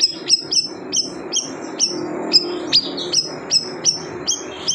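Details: Siri-siri bird repeating crisp, piercing chirps at a quick, fairly regular pace, one note every few tenths of a second, with a low murmuring noise beneath.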